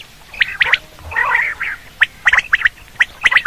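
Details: Quail sound used in hunting: short sharp chirping notes, singly and in quick doublets and triplets, with a rougher gargling burst near the start.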